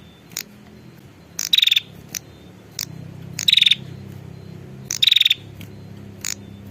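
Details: Female prinia calling the male: three buzzy rattling trills spaced about one and a half seconds apart, with scattered clicking ticks and a low steady hum underneath.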